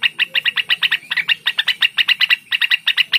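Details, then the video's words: Cucak wilis singing a fast, steady series of bright chirped notes, about eight per second, sharp and repeated without pause through the whole stretch. "suara burung cucak Wilis"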